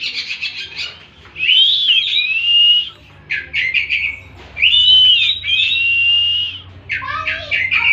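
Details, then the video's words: Oriental magpie-robin song mixing buzzy chattering bursts with long level whistled notes, phrases repeated in a varied sequence with short silences. "Tembakan burung kacer"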